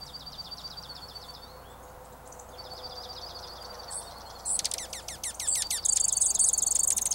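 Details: Junco in a mid-April snowstorm, alongside other birds: a rapid, even trill of high, evenly spaced notes lasting about two seconds, followed by a burst of loud, sharp descending chips and a thin, buzzy, high trill over a steady low rumble.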